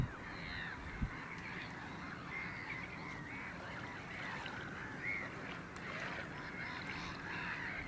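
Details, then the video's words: Caspian gull, a single individual recorded on 9 March 2016, giving a steady series of harsh, nasal, laughing calls close together over low rumbling background noise. "Goéland pontique"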